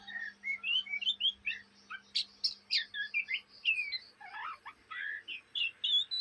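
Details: Oriental magpie-robin fledgling in Indonesia chattering (ngriwik): lively whistled phrases, short downslurs and scratchy trills delivered in quick succession, with a soft hum in the background.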